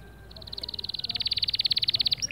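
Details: Male canary, white plumage, singing to motivate other birds: a quiet start building into a long, fast, pulsing trill held at one high pitch, about twenty pulses a second, with a brief rising note at the end.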